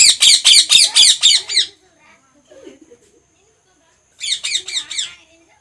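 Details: Indian ringneck parakeet, kept as a pet alongside a second parrot, giving a rapid run of harsh, grating screeches about four per second. A pause with faint soft murmurs follows, then another burst of screeches.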